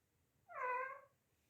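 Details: Pet parrot, which began imitating after the household got a kitten that meows a lot, gives a single convincing cat-like meow, about half a second long, rising then falling with a nasal, harmonic tone, in a quiet room.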